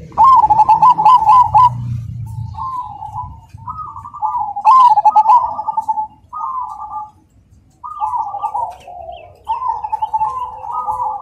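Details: Black Cemani zebra dove singing actively, loud and rhythmic: repeated phrases of quick stuttered coo notes, each followed by a drawn-out coo, with brief gaps between phrases and a little low rumble.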